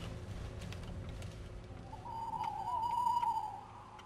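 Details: At daybreak around 5 a.m., 2011, a tawny owl hoots near the Château de Lorge, Côtes d'Armor, France; one long, slightly wavering hoot, louder toward its end, above a low rumble.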